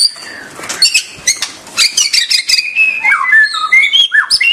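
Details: White-rumped shama singing a clear medley of high whistled notes, rapid clicks and descending slurred phrases, delivered in quick bursts.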